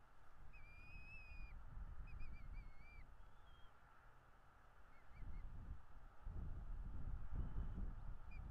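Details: Bald eagles at their nest in North East Florida, picked up by a nest camera on 09.02.2022 at 11:17: thin, high whistled notes, a drawn-out note then short chittering pips, over steady low wind rumble.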